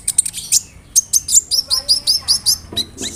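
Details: Rolling sunbird (kolibri ninja) lure song, filled with cricket, cililin and sparrow imitations: a rapid series of high sharp chirps, then evenly repeated downslurred whistles at about two per second.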